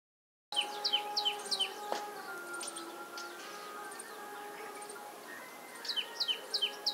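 Sparrow chirps in quick bursts of sharp, falling high notes, about three a second, then a pause and another burst, over a steady low humming drone.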